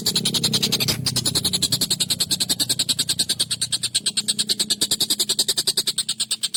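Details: A collared kingfisher calls at length for songbird training, giving a sharp, harsh excited series. Dense, rapid rasping 'kek' notes repeat steadily for the whole stretch over a soft low background hum.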